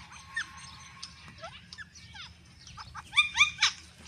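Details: Pet rose-ringed parakeet with another parrot, producing varied chattering sounds: soft whistled slurs and scratchy notes, then a loud closing burst of rapid harsh squawks.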